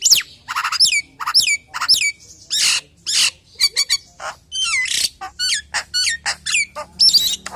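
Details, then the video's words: Nias hill myna giving a full, varied song meant to lure other hill mynas: repeated loud downslurred whistles alternating with harsh squawks, rapid clicks and twanging notes, almost without pause. "JALAK NIAS SUARA FULL ISIAN NEMBAK NEMBAK||PALING JOS BUAT PANCINGAN JALAK NIAS YANG LAIN!!"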